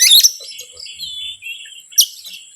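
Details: Oriental magpie-robin, a lure recording meant to agitate other birds: a harsh scratchy burst opens, then soft warbled whistles, then another rasping note, with a constant high-pitched hum behind.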